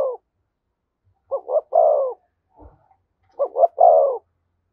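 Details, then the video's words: Spotted dove cooing in the "thúc gù" style near a decoy bird: two phrases about two seconds apart, each a short stuttered double coo followed by a long, low, falling coo. Otherwise quiet. "Tiếng chim cu gáy THÚC GÙ giọng hay"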